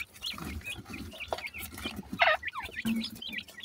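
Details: Black francolin chicks at play give scattered high, thin peeps, some quickly rising or falling, mixed with a brief louder squawk and soft low shuffling.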